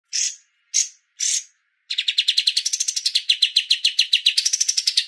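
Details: Streak-eared bulbul song in the 'tembak berjeda' style, a master recording for songbird keepers: three short bursts separated by pauses, then a rapid run of sharp, buzzy notes, about six a second, wavering up and down in pitch.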